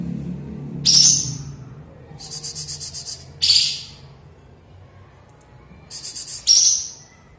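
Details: Sooty-headed bulbul, song returned after moult and a silent spell; short bright sharp phrases alternate with quick runs of rapid stuttering pulses, over a low rumbling background.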